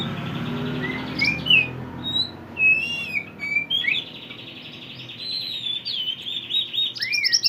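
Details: Pied triller (mantenan) in lively chirping song, played to train songbirds: varied whistled slurs and twitters that grow into a rapid continuous high chatter, with a faint low hum underneath.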